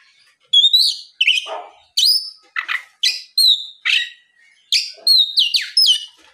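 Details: Oriental magpie-robin in loud afternoon song, intended to draw other magpie-robins into singing back. Separate clear whistled phrases, sweet downslurs and quick chirps, each followed by a short gap, against a silent background.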